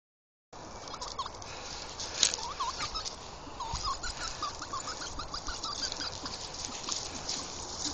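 A pheasant gives a run of short, soft, upslurred whistles, several per second, over steady hissing background noise.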